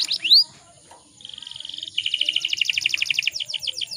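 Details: Breeding-condition female canary calling to entice males to sing: one bright rising chirp, a pause, then a steady buzzy trill of even pulses that shifts lower and faster before ending in downward sweeps.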